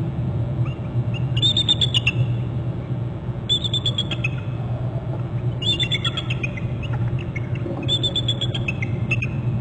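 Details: Eagle at a nest territory on Hornby Island, a female flying in from inland to join the male, giving high, rapid chittering trills in four bursts roughly every two seconds, over a steady low rumble.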